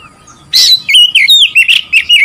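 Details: Oriental magpie-robin song to provoke rivals: after a short silence, a harsh burst opens into a quick string of fluid, looping whistles, rich and loud.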